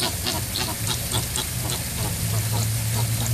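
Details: Captive Chilean flamingos described as angry, giving a dense stream of harsh, nasal, goose-like honks from many birds at once, calls overlapping rapidly throughout over a steady low hum.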